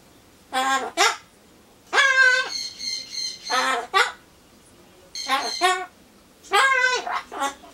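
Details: Solomons corella kept as a pet, mimicking human phrases to itself before getting pumpkin; four clusters of clear speech-like syllables with steady held tones, gaps of silence between, in a small room.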